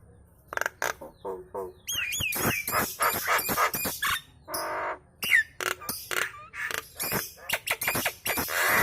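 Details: Nias hill myna in kemrewek chattering song, said to set other birds singing along; a rapid series of sharp clicks and knocks mixed with brief high whistles, rising and falling slurs and a harsh burst.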